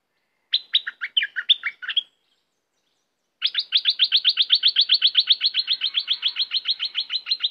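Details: Caged red-whiskered bulbul singing dense 'dok' song phrases: a jumbled burst of bright, chirpy, warbled notes, a pause, then a long steady run of rapid, evenly repeated sharp chirps, about four a second.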